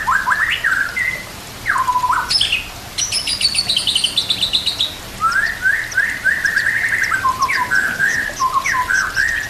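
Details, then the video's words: White-rumped shama song used as a master recording for training other birds, with nature sounds and trickling water: rich whistled phrases, a dip-and-rise note, high buzzy trilled passages, then a run of quick varied whistles. "Putar Suara ini Setiap Pagi dan Sore, Agar murai batu makin Fighter"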